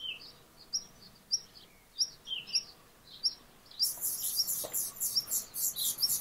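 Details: A Black redstart gives short, high, thin chirps roughly every half second, followed by a dense, scratchy, crackling burst of high notes.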